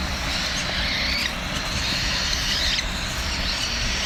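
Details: Cockatiel chicks begging while being fed, a dense, raspy, buzzing wheeze running almost without pause and rising slightly in two surges.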